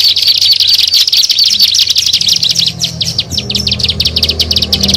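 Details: Lure recording of a plain prinia (ciblek sawah) for drawing in birds: fast, high twittering notes run together, then break into sharper separate chips toward the end, over a soft low rumble.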